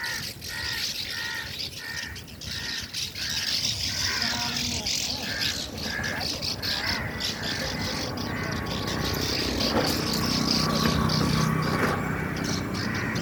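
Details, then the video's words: Swallows (ababeel) building mud nests under a canal bridge give quick runs of sharp, twittering chirps, clearest in the opening seconds, over a steady rushing background and faint voices. "Ababeel Making Mud Houses under Canal Bridge | Wise Bird | Original Sounds"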